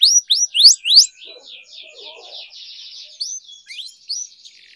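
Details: Canary trainer song for young birds and canaries that have stopped singing: four loud rising whistled sweeps, then a soft buzzy rolling trill, ending with scattered sharp upswept notes.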